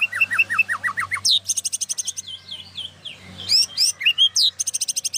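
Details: Medan white-rumped shama in vigorous full-isian song: a run of repeated downslurred whistles, then dense buzzy rattles and looping warbled notes, ending in sharp rising whistles and another buzzy burst, with a faint low hum behind.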